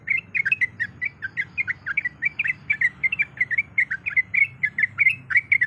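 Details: Sooty-headed bulbul, a breeding female calling for the male, pours out a continuous chatter of short warbled notes, several per second, with a low hum behind.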